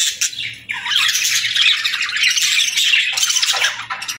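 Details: Pet budgerigars greeting the morning with fast, scratchy warbling chatter and squawky chirps, rising after a brief pause near the start and running continuously, several birds overlapping, with a faint low hum beneath.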